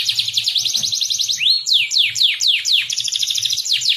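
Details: Canary song played as a lure to teach young canaries to sing: loud, high, fast trills of rapidly repeated notes, shifting into a series of descending sweeping whistles, then back to quick rattling trills, with a faint low thumping beneath.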